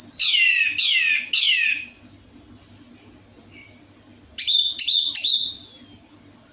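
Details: Orange-headed thrush song used as a lure for a bird reluctant to sing: two loud downward-sweeping whistled bursts, a long pause with faint hum, then a further run of bright varied notes.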